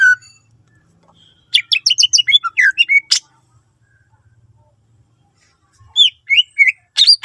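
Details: Greater green leafbird, kept as a songbird, singing a varied song used to lure other leafbirds into singing: a short low whistle, then quick bursts of chirps and sharp whistled notes, a pause, and a closing run of sliding notes.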